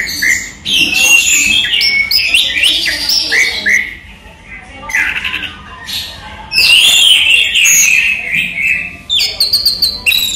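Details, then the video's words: Orange-headed thrush, known locally as anis merah, a kept songbird singing during the day: loud varied phrases of whistles, trills and mimicked notes, with a quieter pause mid-way before a burst of shrill high notes. "ANIS MERAH SI RAJA TELER"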